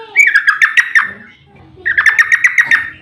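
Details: Yellow-vented bulbul, emotional long ropel song played to trigger replies from other bulbuls; two bursts of rapid, bubbly chattering notes separated by a short pause, with faint low background rumble.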